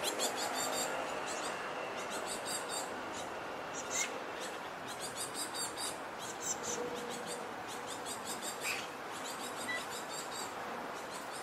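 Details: Great tit fledglings near a bridge chase their parents, demanding to be fed: rapid, harsh, high-pitched begging notes in dense clustered bursts throughout, over a steady rushing background noise.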